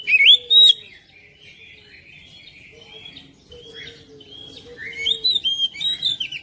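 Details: Home-kept oriental magpie-robin, song used to coax other birds into singing: two loud rising whistles, a long soft quiet stretch with faint notes, then chirping phrases returning near the end.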